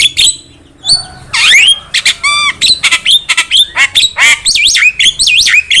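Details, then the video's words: Energetic Javan myna song, used as a training and luring recording. Loud grating squawks and a buzzy nasal note lead into rapid chattering phrases of looping whistles, delivered almost continuously. "Pancingan suara burung jalak kebo gacor masteran burung jalak kebo gacor"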